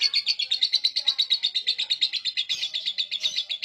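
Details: Drowsy lovebird in ngekek song as it dozes off: an unbroken stream of shrill, grating chirps repeated roughly three per second at an even pace, with faint lower squeaks underneath.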